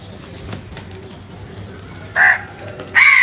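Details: Two loud, rasping crow caws close together near the end, preceded by a quiet stretch with low hum and faint clicks.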